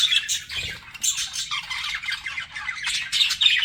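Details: Flirting pet budgies giving quick, raspy squawks and chirps in bursts several times a second, with a soft low knock near the start.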